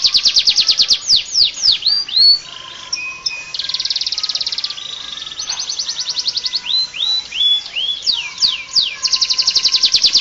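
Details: Canary with a full-repertoire song suited as a tutor for training other birds; bright sweeping whistles, dense buzzy trills and rapid chopped phrases alternate in varied, continuous bursts with brief pauses between phrases.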